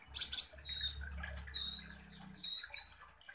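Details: Song of a sunbird known as kolibri ninja, played as a lure to provoke other birds. A high buzzy burst opens, then quick thin chirps over a steady low humming background noise.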